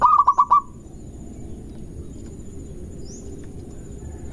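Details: Local zebra dove lure song for stirring up rivals: a brief burst of five rapid, pulsed coos at the very start, then several seconds of near silence before another phrase begins at the end.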